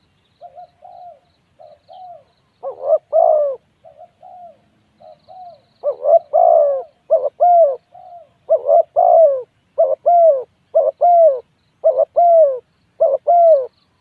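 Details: Spotted dove cooing: soft, low two-part coos, a short note then a longer slurred one, starting quietly and growing louder, repeated roughly once a second in a steady series against a silent background.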